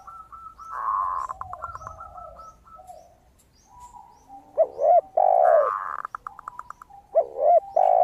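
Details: Zebra dove giving its crystal-toned song, used as a lure bird: a quick series of bright staccato pulses after a sustained note, repeated, alternating with lower, louder rolling coos of a second dove.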